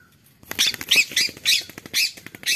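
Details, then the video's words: A parrot, described as talking, gives a fast run of harsh, raspy squawking bursts, roughly six or seven sharp notes packed into two seconds, loud and close, with a brief soft tone just before they begin. "Parrot talking parrot"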